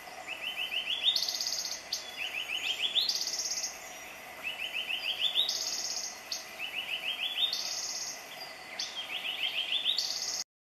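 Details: Male Yellow-breasted Boatbill (Machaerirhynchus flaviventer) singing from a lower branch, phrases roughly every two seconds: a quick run of high, stepping notes ending in a bright, buzzy trill, over a soft steady hiss.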